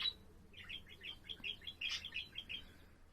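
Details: Pet budgerigar song from 7 April: a bright opening note, then a brisk, even string of bubbly chirps and twitters, one louder buzzy burst partway through.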